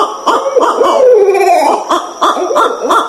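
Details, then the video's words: Barred Owl gives rapid, excited cackling hoots, about three per second, with a drawn-out wavering hoot in the middle. "Bard Owl calls with intermission between calls."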